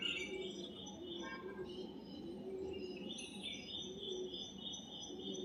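White-eared bulbul giving bright, chattering chirps, in quick, near-continuous runs, over a low hum that may include a dove cooing in the background.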